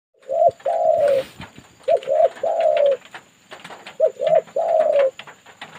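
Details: Spotted dove calling in answer to a lure bird, used for trapping; repeated low cooing phrases, each a short double coo followed by a longer drawn-out note, in three bursts with a faint steady hum behind.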